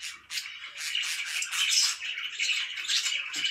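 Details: Pet budgerigars chirping in the morning: a dense, continuous chatter of scratchy warbles and short squeaky notes, swelling and dipping in loudness over a few seconds.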